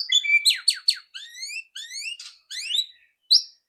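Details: White-rumped shama in loud ketrekan song, played to prompt another shama to sing fast: dense, rapid, high chirps and sweeping notes tumble together, with short gaps and a sharp closing note.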